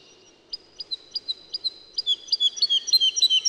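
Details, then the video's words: Woodlark song: after a short pause, a series of clear, sweet whistled notes starts slowly, then speeds up into a rapid, rolling trill that grows louder toward the end. "Как поет лесной Жаворонок"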